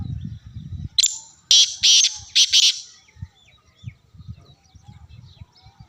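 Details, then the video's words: Black francolin in Sindh, Pakistan, giving a loud harsh grating call of four to five rasping notes in quick succession, high and broadband, followed by quiet low rumbling background noise. "Kala Teeter sindh Pakistan"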